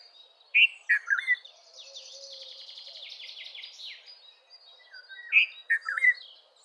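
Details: Red-vented bulbul repeating a cheerful phrase of three bubbly, slurred notes twice, separated by a long, buzzy, high trill from another bird.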